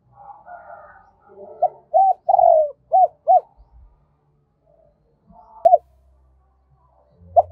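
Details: Spotted dove kept as a decoy, cooing in the double-voice two-ending style to lure wild birds; soft notes lead into one full five-note phrase, then scattered single coos and a click.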